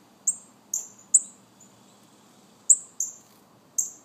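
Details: Northern cardinal babies giving loud, high, down-sliding chips, three in a quick burst, a pause of over a second, then three more, over quiet hiss.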